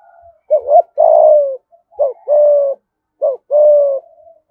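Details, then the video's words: Spotted dove of Dong Nai, Vietnam, calling in "thổ" voice: three quick successive phrases, each a brief note and a sustained level-to-falling coo, with faint coos trailing after. "Chim cu gáy thúc gù giọng thổ bài bản nhất Đồng Nai"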